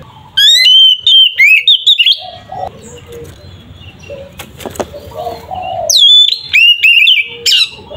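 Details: Oriental magpie-robin fighting song to provoke rivals: whistled sweeping bursts at the start and end, with a middle stretch of soft lower chirps and a brief flutter-like rustle.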